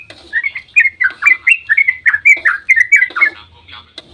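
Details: Dawn 'ropel' song of a sooty-headed bulbul, played to prompt other bulbuls to sing back: quick chain of liquid, warbled whistles bunched closely together, ending with a brief quieter pause.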